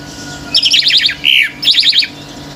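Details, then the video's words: Singing male orange-headed thrush provoking nearby birds: two quick trilled runs of bright descending notes flank a single lower slurred whistle, over steady faint background hum. "ANIS MERAH GACOR TELER‼️BURUNG LAIN IKUT NGAMUK‼️"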